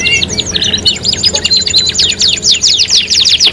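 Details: Singing canary, a lure track meant to prompt other canaries to sing: buzzy rolled phrase opening into fast rhythmic high trills of sharp sweeping notes, growing denser toward the end.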